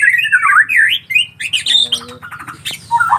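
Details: Collared kingfisher chicks, young nestlings, giving harsh, squawking calls that waver and rise and fall in pitch, delivered in quick uneven bursts with short pauses between them, indoors.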